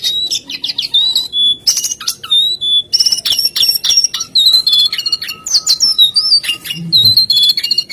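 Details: Jongkangan (lesser shortwing) singing busily: high whistles, sharp chips and short trills follow one another with almost no gaps, the phrases varied and fast.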